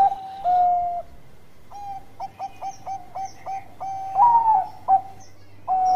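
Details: Lure song of a vocal Bangkok zebra dove meant to set other doves singing: a long steady coo, a gap, then a rapid run of short staccato notes building into louder stressed coos and a final drawn-out note.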